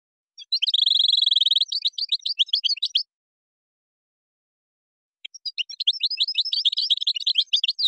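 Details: Moroccan-style European goldfinch song featuring gazrat and srrr bertbertio passages: a steady, buzzy, high sustained tone breaking into quick tinkling chirps, silence for two seconds, then another rapid twittering run, with no other sounds.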